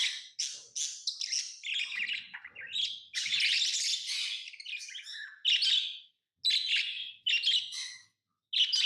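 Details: Pet lovebirds chattering in dense, sharp high chirps, a long harsh burst in the middle, then separate shrill notes broken by short pauses.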